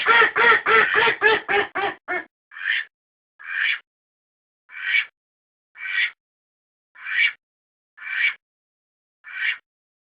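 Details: Domestic duck quacking, recorded for use as a decoy. A fast run of about eight loud, nasal quacks opens, then single quacks follow roughly once a second against silence.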